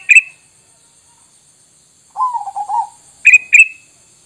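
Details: Sooty-headed bulbul lure call for drawing replies from wild bulbuls: a bright chirp, then a softer lower warbling phrase in the middle, then two more quick bright chirps close together.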